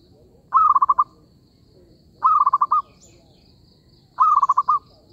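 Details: Cooing of a zebra dove, played as a lure for trapping birds: three rolling phrases roughly every two seconds, a sustained opening note then a rapid stutter of short beats, with a thin high hum behind.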